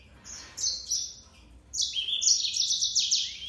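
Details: Short high trilled notes, then a sustained burst of rapid, buzzy twittering from a yellow-fronted canary, the song growing fuller toward the end.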